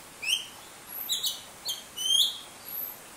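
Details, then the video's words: Greater racket-tailed drongo at a pond in Shiti Village, Yingjiang, Yunnan, China, October 2020, singing while eating: about five sharp, high chirps and metallic notes in three seconds, some sweeping upward; quiet background. "The Greater Racket-tailed Drongo chirps joyfully while eating its food."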